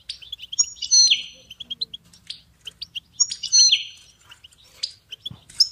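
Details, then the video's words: European goldfinch song offered as a ringtone for training songbirds: bright twittering phrases of high tinkling notes mixed with pure whistled tones and a buzzy slurred note, repeated in bursts about every three seconds. "Goldfinch ringtones"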